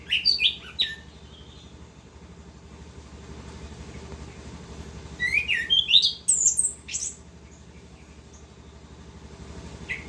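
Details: Orange-headed thrush singing lively in continuous rolling style (gacor ngerol): a burst of varied high, sharp whistled notes and chirps at the start, silence, then a second rich cluster of rising and falling notes midway, over low steady background hum.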